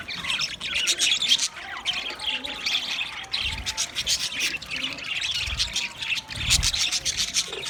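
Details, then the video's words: Green budgerigars chattering: steady scratchy chirps and short squawks mixed with a soft, wavering warble, continuous and uneven in rhythm, over occasional low background thuds. "Green Budgie sound sound of Budgie birds"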